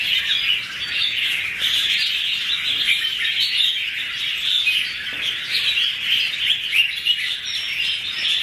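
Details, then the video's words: A 2016 duet by two red-whiskered bulbuls: steady, thick warbling of fast chirps and slurred whistles, evenly loud and unbroken from start to finish. "Red-whiskered bulbul ~ two birds duet with good songs"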